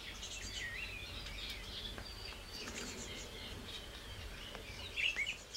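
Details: Eurasian blackcap singing soft, quick warbling phrases of high chirps and twitters, ending in a brighter, clearer note, over a steady background hiss; recorded at the Wangental bird reserve, where the species is commonly seen.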